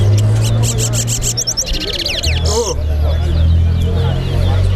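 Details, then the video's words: Towa-towa singing in a bird singing competition at Lusignan bird ground: rapid, evenly repeated high whistled notes, then a quick run of sweeping slurred phrases, with low background hum and crowd noise. "TOWA TOWA BIRD SINGING COMPETITION"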